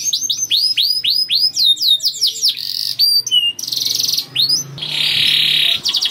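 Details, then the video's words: Young canary sings a lure song for other canaries: looping curved whistles, then harsh buzzy rattles and a long rasping roll, with faint low hum behind. "KENARI GACOR DOR NGEDUR NGOTOT CUIT CUIT NGEROL AMPUH PANCINGAN KENARI PAUD"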